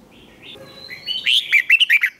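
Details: Red-whiskered bulbul singing a fighting song with a twisting voice, used to train birds for song competition. Faint drawn whistles come first, then a loud burst of about six quick, warbled notes.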